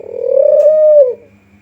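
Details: Spotted dove lure call: one long, slightly rising then falling purring coo lasting about a second, with a quiet steady hum in the background.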